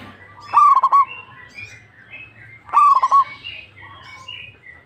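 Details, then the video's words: A local zebra dove, a keen singer, gives two rolling phrases of four quick coos about two seconds apart, with softer chirps from other birds in the background. "PERKUTUT LOKAL GACOR"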